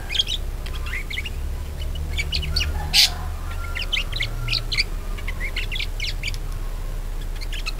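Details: Budgerigar used as a singing lure for other budgies: continuous busy warble of rapid chirps, clicks and squeaks, with one sharp loud burst in the middle, over low rumbling background noise.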